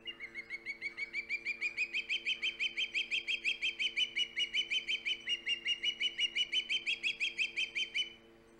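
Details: Loud osprey at the Hog Island nest, 3 September 2019, giving a long unbroken string of shrill whistled chirps, nearly three per second for eight seconds, pitch wavering up and down, then stopping abruptly; faint low hum throughout.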